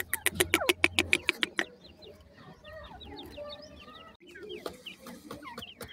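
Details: A quick series of sharp tapping knocks opens, then grey francolin chicks kept on a Pakistani farm keep up a steady chatter of high, short, downslurred peeps.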